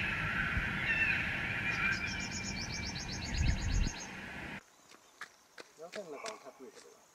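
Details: A red-wattled lapwing (subspecies atronuchalis) at Phyu Lake, Ta Da Oo, Mandalay, gives a quick run of sharp, high, repeated notes over steady wind and low rumble, followed by quieter clicks and faint sounds.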